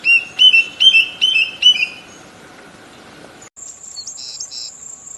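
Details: Bird singing melodiously, recorded 24 May 2020: about five loud, clear, slightly descending whistled notes repeated every half second over a steady droning tone, then an abrupt cut to a high continuous ringing whine with a few faint chirps.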